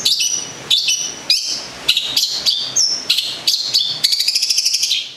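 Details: Gedong Songo long-tailed shrike from Central Java, a pet songbird, singing sharp high notes in short bursts that end in a rapid, even rattling trill.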